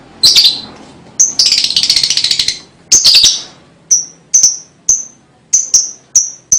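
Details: Lovebird song recorded to prompt young birds to sing: two harsh chattering bursts, the longer one rattling for over a second, followed by a steady series of high, clipped chips.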